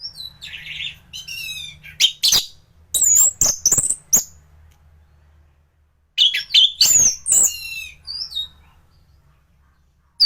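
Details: Thrush of competition quality, recorded for teaching other birds, alternates loud clusters of high whistles and sharp clicks with quiet gaps, producing two main song bursts and a final abrupt note.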